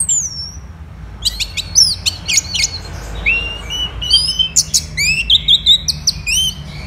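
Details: Indonesian captive Orange-headed thrush in lively song: clusters of crisp, rapid chips and downward-slurred whistles, some phrases repeated, delivered in quick bursts with short gaps, against a low background rumble.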